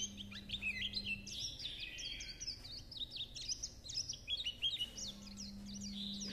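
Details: Japanese white-eye in chattering song: a rapid, busy stream of high twittering and tinkling notes, many short slurred chirps tumbling together without pause, over a steady low electrical hum.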